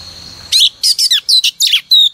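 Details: A female oriental magpie-robin sings as a morning lure to get males singing. After a half-second of low hiss come about seven loud, separate, buzzy-whistled notes at an even, quick pace.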